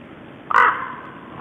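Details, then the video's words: Common raven sharing a winter feeding ground with small birds, 10 January 2012: a single loud, harsh, croaking call lasting about a third of a second, over a faint steady background hiss. "Ravens & Small Birds"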